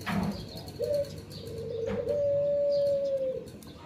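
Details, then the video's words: Barbary dove (burung puter) kept as a pet, heard in the morning: a brief low coo, then a long, steady, rolling coo held for about a second and a half before it fades. "Menikmati kicau burung puter dipagi hari//enjoy the chirping of the puter birds in the morning"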